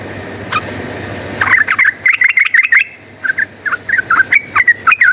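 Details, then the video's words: Yellow-vented bulbul singing a fast, fighting-style chattering song used as a lure to make birds combative: after a short lone note, bursts of bubbly, warbled notes tumble up and down in quick, loud clusters with brief pauses. "cuk cuk uplik uplik ! trucukan gacor ropel tarung, pancingan ampuh jadikan burung trucukan fighter"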